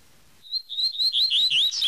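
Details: Double-collared seedeater singing the "tui tui" song type: a quick series of high whistled notes starting steady, then rising and swooping into louder, buzzier slurred phrases over about a second and a half, with no other sounds.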